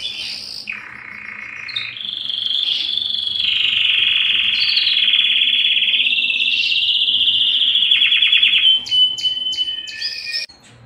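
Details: Canary singing, named as a Belgian canary: an extended flowing trill with shifting pitch, rolling and pulsed in places, closing with separated sharp clicks and short whistles.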